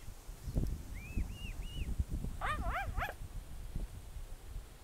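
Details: Mute swan cygnet with its father, Plymouth, Massachusetts, 21 June 2020, calling for its out-of-range mother and siblings: three thin, arched whistled peeps, then higher wavering notes, over low wind rumble.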